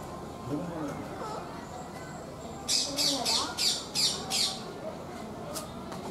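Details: Red-headed parrot, green with a red forecrown and bluish nape, gives a burst of six harsh, rasping squawks in quick regular succession, about three per second, with a weaker note after a pause.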